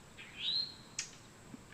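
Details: Towhee giving a mating call: a single slurred whistle that sweeps upward and holds high, with a short sharp click just after and a quiet background.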